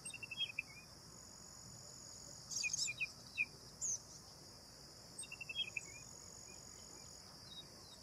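Bank myna giving short bursts of chirpy, slightly harsh notes in quick runs, over a steady high-pitched insect drone.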